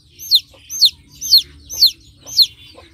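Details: Chick on a chicken farm giving five loud, high peeps, each sliding sharply downward, evenly spaced about every half second over a faint low background hum.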